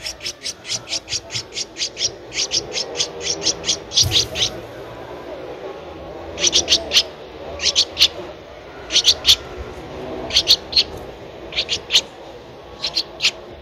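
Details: Thirteen-day-old Streak-eared Bulbul nestling, Ubon Ratchathani, Thailand, 15 April 2023: rapid bursts of shrill, high squeaks come in clusters separated by short pauses, with a brief loud knock near the middle.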